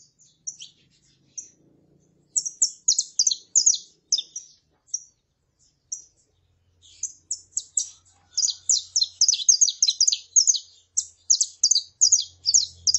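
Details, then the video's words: Saffron finch, a female calling and a male singing: a few spaced high chirps lead into long, rapid bursts of bright descending notes, pausing briefly, then resuming even denser toward the end, in a quiet background. "CANTO DE FÊMEA PARA ESQUENTAR CANÁRIO DA TERRA (FÊMEA CHAMANDO E MACHO CANTANDO)"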